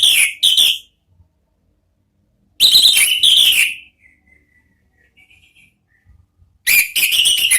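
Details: Orange-headed thrush in loud ngeplong song, used for bird therapy: bursts of ringing whistled notes in rapid clusters, separated by pauses of about two seconds with soft faint whistles between them.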